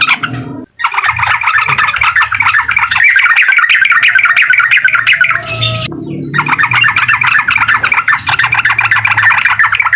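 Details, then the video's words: Sooty-headed bulbul delivering the uklik song that is said to rile a rival bird: long, dense streams of rapid rattling chatter, broken by one brief silence and a short pause midway. "SUARA TRUCUKAN UKLIK BIKIN LAWAN EMOSI DAN LATAH!!"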